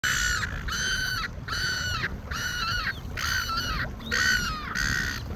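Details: A flock of gulls near a lake calling: loud, harsh, drawn-out cries in a steady series, about six calls in five seconds, each nearly level then dropping at the end, over low rumbling background noise.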